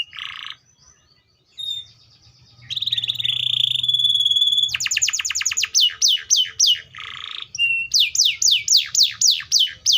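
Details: Canary (Serinus canaria), song.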